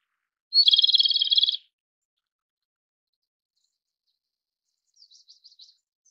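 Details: Japanese robin song: a brief high whistled opening note, then a fast, even rattling trill lasting about a second. Several faint, thin high notes follow after a pause.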